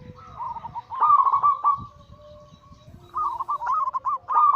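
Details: Anggungan song of a zebra dove (perkutut), Bangkok local crossed with cemani katuranggan silver: two long, warbling, trilled coo phrases with a quiet stretch between and a low rumbling hum underneath.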